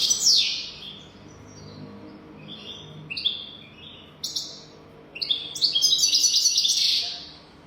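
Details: European goldfinch song of the 'golden throat' type, intended for tutoring young goldfinches: scattered twittering notes and short slides, building into a dense, rapid trilled phrase near the end.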